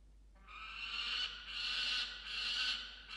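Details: Peregrine falcon, a male guarding freshly brought musk lorikeet prey in a box camera at dawn, 27 December 2022; after a brief quiet start, three long grating screams run almost back to back, loud and raspy.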